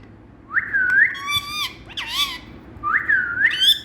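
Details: Indian rose-ringed parakeet, a talking ringneck parrot kept as a speaking bird, gives clear whistled, speech-like phrases rising and falling at mid to high pitch, three main bursts with a low background hum.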